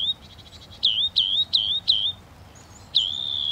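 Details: Repeated whistled phrase from a Northern mockingbird: a swooping high note given four times in quick succession, then a longer sustained whistle after a short gap.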